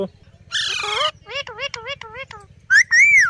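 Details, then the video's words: Pet rose-ringed parakeet talking, said to repeat "Mithu Mithu": a harsh, raspy phrase, then a run of short warbled syllables, ending in two loud, clear, arching whistled notes, with a faint low rhythmic hum beneath. "Funny Parrot Talking Mithu Mithu"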